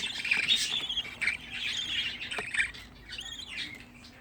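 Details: Budgerigar chicks, sixteen together in a home aviary, chattering in quick warbled chirps and buzzy notes that fade toward the end, leaving a few softer twittering calls.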